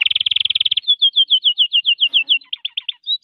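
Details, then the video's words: Canary singing, 18 January: a very fast rattling trill followed by a steady series of clear slurred whistles repeated about five per second, ending with short chips and a last whistle. "canary singing. canario cantando"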